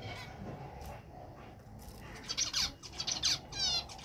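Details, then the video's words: Male zebra finch giving its mating call: a rapid string of high, buzzy, nasal chirps and harmonic-rich notes, growing denser toward the end, over a low background rumble. "Mating call of a Male Zebra Frinch"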